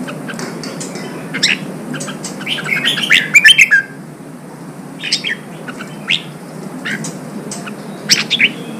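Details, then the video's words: Red-whiskered bulbul singing, a recording meant to stimulate and train wild-caught birds for song contests: scattered chirps and a lively whistled flourish, then sparser sharp notes over a soft hiss. "Kích chào mào bổi hót, kích bổi sổ giọng, luyện chào mào hót đấu"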